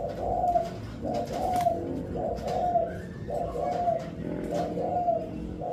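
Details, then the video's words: Stuttering-variation song of a spotted dove in pesom ori style: a steady run of low hooting coos in paired and tripled notes, roughly one per second, over a noisy, rumbling background. "Burung Tekukur Pesom Ori Dengan Suara Variasi Gagap"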